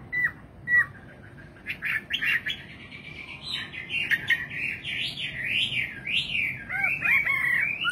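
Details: Two separate sharp notes, then a nightingale's song builds into zigzagging up-and-down whistles and ends in a sweeping warbled phrase.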